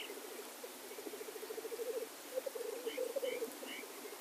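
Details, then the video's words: Displaying blackcock at a lek produce a steady rapid pulsed bubbling that swells in loudness, with a few short rising higher notes near the end. "Birkhahnbalz - Tétras lyre - Blackcock lek"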